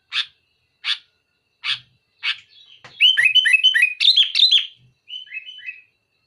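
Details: Sooty-headed bulbul singing to pressure a rival: four short harsh notes about a second apart, then a dense burst of fast, warbled rising and falling phrases ending in softer notes.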